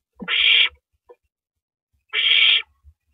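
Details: At the nest at 9:14 PM on 9 April 2012, an owl passing rabbit prey to its mate gives two drawn-out, harsh hissing screeches about a second and a half apart.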